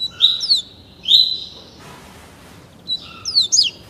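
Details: Double-collared seedeater aged just 30 days, kept by a breeder and being trained in the tuí tuí Alcântara song style, gives high sweeping whistles, a sustained clear note, a silent gap, then steep downslurred sweeps.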